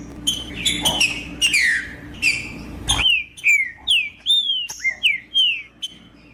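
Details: Macheando song of a green-winged saltator (trinca-ferro), used to warm up other birds: slurred whistles at first, then a rapid clean series of loud downward-sweeping whistled notes, nearly twice per second.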